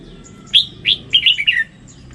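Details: Red-whiskered bulbul with a 'standard' voice gives a quick, lively warbled phrase of five or six bright, slurred notes. The notes rise and then fall away in pitch, over a faint low background hum.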